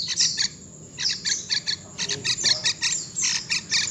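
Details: Young wild-born yellow-vented bulbul calling in rapid clusters of thin, high, clipped chirps with brief pauses between groups. Some faint background rustle.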